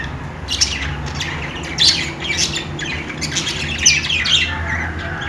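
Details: Budgies chirping and squawking: a few louder scratchy squawks and chirps stand out from a softer continuous chatter of several birds, with a low hum underneath.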